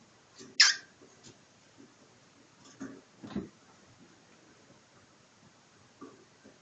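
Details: During a play-fight with its owner, a cockatiel gives one sudden, harsh, hissing squawk, followed by a few soft scuffles and thumps of handling indoors.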